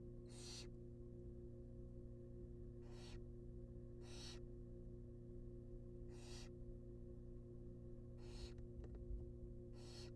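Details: Begging wild barn owl young in a nest box during feeding on a rabbit: six drawn-out, noisy shrieks spaced one to two seconds apart, with a brief click near the end and a continuous low hum throughout.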